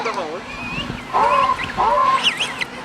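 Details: A penguin chick in a colony on the French southern lands answers a synthetic playback of its parents' call onset with clear, harmonic whistled calls: two drawn-out notes with wavering, sliding pitch, over a low background murmur.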